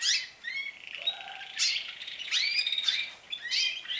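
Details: Canaries in full song, trills lengthening as they start singing more, with bursts of sharp high chirps, rising slurred whistles and one lower drawn-out note amid steady rolling trills.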